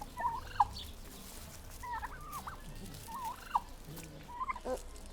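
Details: Turkeys calling: short, mid-pitched yelping notes come in small bursts about once a second, fairly faint against steady background noise.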